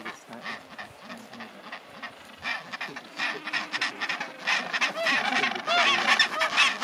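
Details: Colony of chinstrap penguins at Orne Harbour, Antarctica, in January 2023: quieter start, then loud raspy donkey-like brays swelling from many birds at once, rhythmic rough pulses overlapping throughout.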